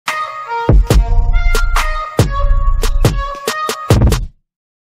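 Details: Music with punchy drum hits and bright tonal notes, stopping abruptly into silence.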